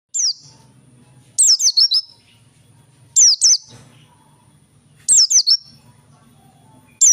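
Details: Oriental white-eye of the 'dakun' type singing actively: bursts of high, sharp whistled notes that slide down, several quick notes in each burst, repeated roughly every two seconds over a low steady hum.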